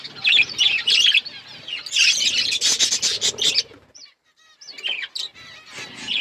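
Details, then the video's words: A flock of pet budgies chirps in a dense, rapid twittering rush, then falls almost silent before isolated short chirps and warbles return. "Beautiful budgies colour birds chirping sounds"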